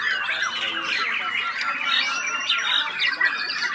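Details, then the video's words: White-rumped shama pouring out its mimicked songs: looping whistled sweeps and rapid squeaky notes, with brief louder accents near the end, all in a steady, busy flow. "Kelakuan Murai Batu Macam Ni | Awal Tak BongKar Akher Baru Gil4"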